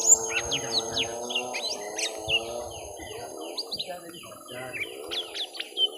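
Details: Young lesser green leafbird in a long fight with a rival, round one: rapid sharp chirps and short whistled slurs, high and scattered, over a steady droning humming tone lower down.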